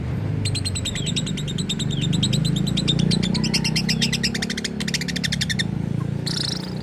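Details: Lovebird with strange calls, reportedly copying human speech: long fast rattling chatter of dense repeated notes, speeding up toward the end, over loud low rumbling background noise.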